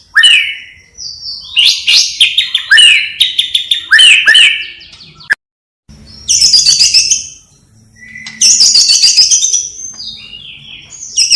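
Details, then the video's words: White-rumped shama in full song, its repertoire filled with mimicked sparrow, fighting lovebird and kapas tembak sounds: bursts of harsh, chattering high phrases separated by pauses, with a sharp click partway through. "Murai Batu Gacor Isian Gereja Tarung Love Bird Kapas Tembak Cililin"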